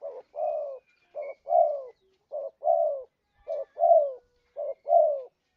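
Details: Spotted dove lure sound for trapping: soft, low cooing phrases, each a short note followed by a longer descending coo, repeated five times about once a second against a silent background.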